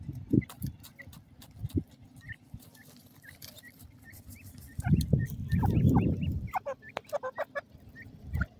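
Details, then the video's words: Golden ring-necked pheasant chicks giving short, clipped chirps, some scattered and some in quick bursts, amid loud thumps and rustling handling noise. "golden ringneck pheasant chicks,ringneck dakhni teetat baby ki awaz"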